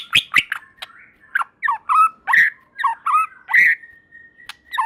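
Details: White-rumped shama, a caged songbird in full song, its song said to prompt other shamas to sing along: varied loud phrases of rich whistles, harsh squawky notes and sharp clicks, delivered in quick bursts with brief pauses.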